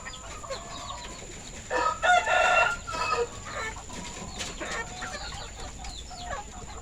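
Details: Village rooster (ayam kampung / Bangkok chicken) with red and orange plumage, crowing at a poultry farm during afternoon feeding, February 2022. A loud, rich, harmonic crow lasts just over a second, followed by quieter clucks and scattered thin chirps.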